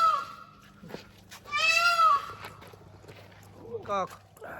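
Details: Indian peafowl (peacock) at a forest eco-resort in Bankura, West Bengal, several peafowl nearby, heard in the morning: a loud, nasal, wailing call of about half a second, then a shorter falling cry, with people talking nearby.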